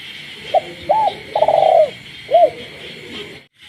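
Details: Spotted dove kept in a cage calls at night in a rural village, one four-part coo of short note, hoot, long quavering note and arched ending, with frogs calling throughout.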